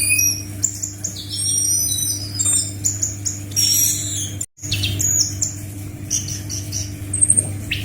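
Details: Anis macan (scaly thrush) song used as tutoring material for captive birds: varied high whistles, sharp chirps and quick slurred notes in rapid succession, broken by a brief silence midway, over a steady low electrical hum.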